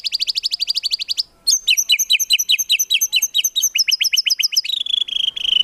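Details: White-rumped shama in vigorous full song, rapid-fire phrases used as songbird training: fast rattling trills of sharp high notes, about two and a half per second, shifting into chattering doubled notes and ending in a buzzy slur.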